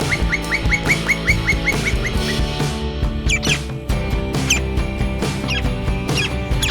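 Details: Campo Flicker song: a quick run of about ten short, sharp, evenly spaced notes in the first few seconds, over steady background music that continues to the end.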